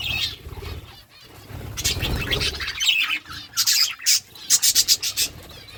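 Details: Pet budgerigars eating food, chirping: harsh, scratchy bursts of chatter, with a quick run of short repeated chirps near the end and a low rustling or thumping underneath early on.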